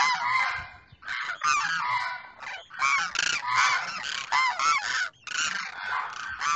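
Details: Demoiselle crane pair in Pakistan, male calling to female: dense run of rough, trumpeting croaks delivered almost continuously, several short rattling notes crowding together with only brief dips.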